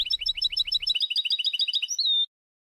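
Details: European goldfinch song from a 2020 recording made for teaching young goldfinches and mules: a rapid run of bright, tinkling high notes about twelve per second, ending in a drawn-out whistled note.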